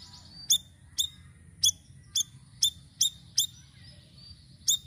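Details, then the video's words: Sirisiri giving lure song: crisp high chirps spaced about half a second apart in a steady series, one longer gap near the end, over a faint high tone and light hiss. "GACOR UNTUK PANCINGAN BURUNG SIRISIRI DENGAN VARIASI SUARANYA"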